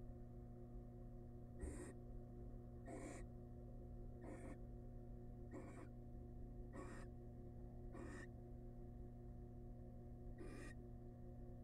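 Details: Wild barn owl family in a research nest box, with the male arriving with a big rat: seven short screechy hisses at intervals of one to two seconds, over a steady electrical hum.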